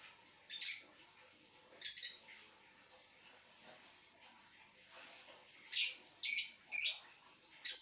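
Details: Lovebird lying down while calling. Short, sharp squeaky chirps: two widely spaced early notes, then four in quick succession near the end, over a faint steady high whine.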